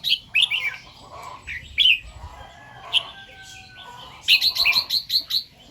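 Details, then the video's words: Morning song of a red-whiskered bulbul in the double 2-3 and 'rik' styles. Short, clear, whistled phrases come with gaps between them, ending in a fast run of about eight sharp, repeated notes. "เสียงนกกรงหัวจุก ร้องเบิ้ล2-3 ร้องริก"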